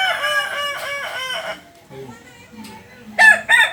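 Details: Kokok Balenggek rooster of the jalak and biriang colour types, a native Solok chicken from West Sumatra, crows in a quick series of stepped, arched syllables that trail off; after a pause, short loud bursts follow.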